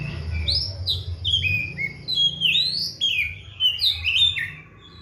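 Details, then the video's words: Caged Oriental magpie-robin, kept on seven crickets with morning and evening baths, singing eagerly. Clear whistled notes rise and fall in sweeping slides, broken by short pauses, over a faint low hum. "KACER GACOR"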